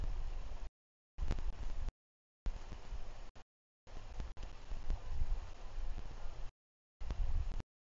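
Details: Low rumbling background noise in short bursts broken by gaps of complete silence, with no animal voice heard.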